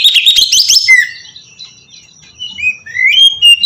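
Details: Oriental magpie-robin singing in ngeplong style, meant as a lure to prompt other birds to sing: a dense burst of high, rapid twittering, then a pause and a few separate, rising clear whistles.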